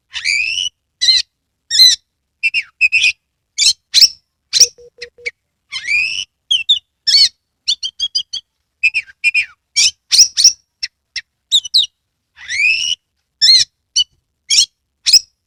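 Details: Oriental magpie-robin, a kept bird in Kebumen, Central Java, Indonesia, singing continuously with full tail display: long varied stream of high whistles, sharp chirps, down-slurred notes and buzzy trills, densely packed with short gaps, plus a brief low steady tone.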